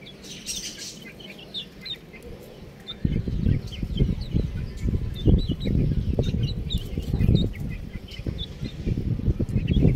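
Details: Young chicks peeping: many thin, high chirps scattered throughout, with rustling and handling noises growing louder after the first few seconds.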